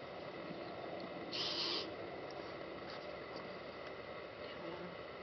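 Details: Fawn-breasted bowerbird giving a single harsh, rasping burst lasting about half a second, set against a steady background hiss.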